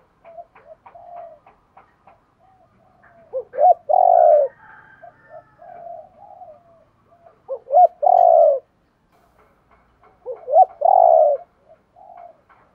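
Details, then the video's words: Calling spotted dove, a recording meant to stimulate wild-caught birds to call: three loud phrases, each two short coos then a long sustained falling coo, spaced about four seconds apart, with soft quiet cooing in between. "Tiếng chim cu gáy kich bổi mới[ tiếng thúc . gáy gọi ] chim cu gáy giọng hạp bổi, giúp bổi mau lên"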